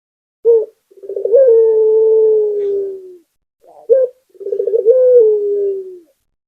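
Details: Barbary dove, a local puter, in full song: a brief abrupt note followed by a throbbing rolled coo that stretches into a long steady hum, given twice with no other sounds.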